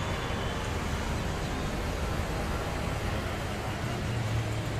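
Steady low road-traffic rumble from passing vehicles in an urban setting, continuous throughout with no animal voice.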